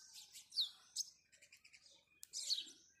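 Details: Morning house sparrow chirps, a few sharp tweets and a rapid stuttering series of short notes, with quieter pauses between.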